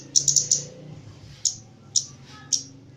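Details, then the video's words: Javan myna in captivity, singing actively (gacor) during mental training: a fast run of four bright high chips, then three single piercing clicks roughly half a second apart, with faint lower notes. "KEMADE JAWA GACOR"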